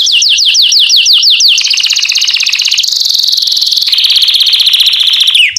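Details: Canary song used to teach chicks: a run of rhythmic downward sweeps about five per second, leading into a long, dense, high pulsed roll that shifts pitch in steps.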